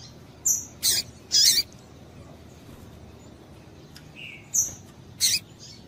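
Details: Female double-collared seedeater calling to get the male singing: clustered rasping chips and thin high whistles, then a lower soft whistled note and more chips after a pause, over faint background hiss.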